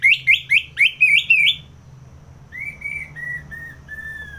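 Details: Orange-headed thrush, North Bali, in ngeplong song: six loud, rapid upslurred whistles, a brief hush, then a softer series of long level whistled notes drifting lower.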